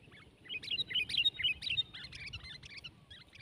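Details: Sooty-headed bulbuls fighting it out in song, one bird twelve months old: a quick run of bright, slurred chirps and warbled notes, loud and tightly packed, with faint low background hum.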